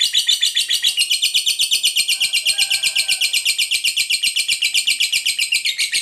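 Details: Continuous ngekek panjang of a fighter lovebird, used as a teaser to make other lovebirds answer: an unbroken, very regular metallic rattle of about seven notes per second lasting six seconds.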